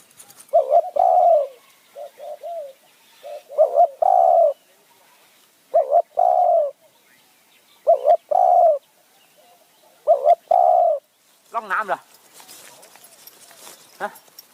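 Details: Decoy spotted dove trapping wild doves in Kanchanaburi's high forest, Thailand, with the kham khu kham calling phrase. Loud, close three-part coo phrases repeat roughly every two seconds, softer short coos between, ending with a rough wavering note and rustling.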